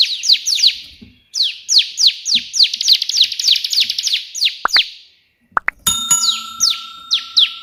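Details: Ciblek, the bar-winged prinia, in energetic shooting-style song after the white prinia. Long runs of rapid downslurred high notes, a short gap, then a bell-like chime rings out beneath further slurred notes.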